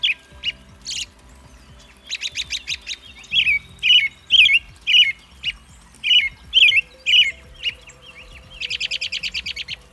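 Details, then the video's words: American robin, also called red-breasted thrush, in song: a steady string of slurred caroling phrases about two per second, with rapid chattering trills from other birds at the start and end. "Red-breasted Thrush Singing (American Robin) Zorzal Migratorio"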